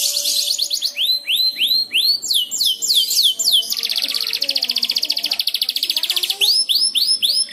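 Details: Young canary learning to sing, answering another canary's song played as a lure: bright, high whistled notes, rising swept phrases repeated in series, then a long fast trill, then more rising sweeps.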